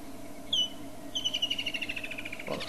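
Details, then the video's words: Woodland kingfisher calling: a single sharp note followed by a long trill of rapid, slightly descending pulses, over steady low engine-like hum and background noise. "Woodland Kingfisher 3 bird-flight.blogspot.com Calling"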